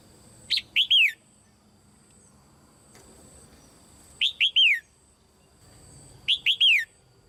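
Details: Caged female red-whiskered bulbul calling so other birds will sing hard; three phrases, each a short note followed by three descending whistled slurs, spaced about three and two seconds apart.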